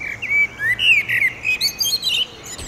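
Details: Territorial male blackbird singing at sunset in Oradea over the railway: a lively string of swooping whistles followed by a rapid run of higher chattering twitter notes.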